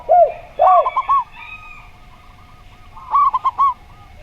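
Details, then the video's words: Zebra dove singing slow-style, matched against a gayer-style spotted dove; two deep swooping coos open, followed by short stuttering notes, then a second quick stuttered phrase after a brief pause. "Perkutut Suara Slow"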